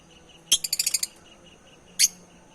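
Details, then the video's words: African lovebird, male and female birds of various colours, gives a rapid burst of about six sharp, high-pitched chirps, then a single loud shrill chirp after a short pause. "African Love Birds All Colors Natural Sounds Activity - Male Female African Love Bird Chirping Sound"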